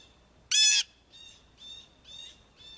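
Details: Blue Jay giving harsh, raspy jeer calls, used for contact, flocking, alerting to threats and assembling jays to mob hawks: one loud blast, then four softer ones about every half second, over a faint steady high tone.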